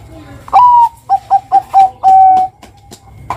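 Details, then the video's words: Zebra dove of the Bangkok type singing in the kuwor style as a lure for young birds. An upslurred first note, four clipped mid-pitched coos and a sustained ending note, with faint clicks afterward. "Ngerot Kuwor Kuwor Langsung MANGGUNG Pancingan perkutut Bangkok Pintar Bikin BUNYI kutut Bakalan"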